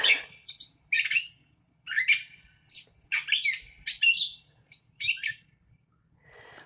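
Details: Gray Catbird, a mimic copying other birds' sounds while keeping its own voice, in a chatty song of varied squeaky, warbled phrases that jump in pitch, delivered in a steady jumble of short bursts, recorded in southern Wisconsin.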